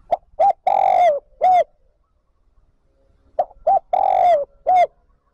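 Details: Spotted dove calling to draw wild doves back to join the flock: two quick clipped coos, a long drawn-out coo, then one short coo, with the whole phrase repeated after a silent gap of about two seconds.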